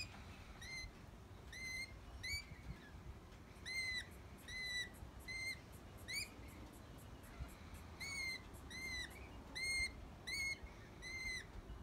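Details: Lorikeets in trees give short, shrill, ringing notes, singly or in quick pairs, at an uneven pace roughly every second, over a steady low background rumble.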